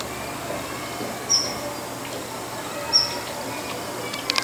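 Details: A female Daurian redstart calling in the morning from a rooftop gives two thin, high whistled notes about a second and a half apart, then a few faint dry clicks, over a quiet background hiss.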